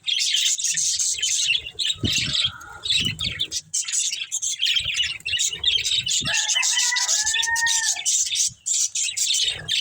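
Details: Busy budgerigar chatter while the birds eat green food: steady, harsh, high chirps and squeaks, with a long, drawn-out tonal call from another bird heard about two-thirds of the way through.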